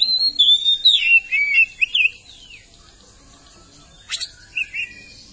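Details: Oriental magpie-robin singing a short run of clear whistled notes that slide down and curve, then a pause followed by a sharp click and two soft trailing phrases.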